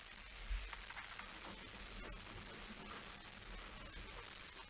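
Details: Rain patters and hisses steadily over a low rumble, with a single soft thump near the start and no animal voices.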